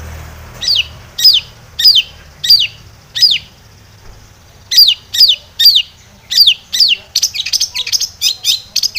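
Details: Long-tailed shrike singing as a lure to trigger song in other shrikes; clear high down-slurred whistles repeated roughly every two thirds of a second, a short gap, then faster and harsher notes at the end.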